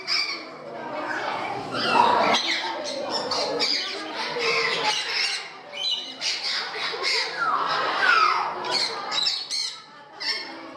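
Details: Loud, raspy parrot squawks with sweeping downward screeches, several birds calling over one another in a Gdańsk, Poland aviary; human chatter in the background.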